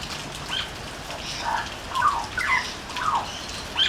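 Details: Butcherbird singing on a veranda: short warbling notes that slide up and down come in separate bursts about every half second, against a steady background hiss with faint patter.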